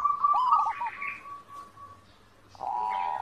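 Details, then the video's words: Zebra dove, master recording for teaching captive birds to sing. A quick tremulous coo run fades into a thin held tone, then a louder, steady, purring coo starts after a short gap. "masteran perkutut, perkutut gacor"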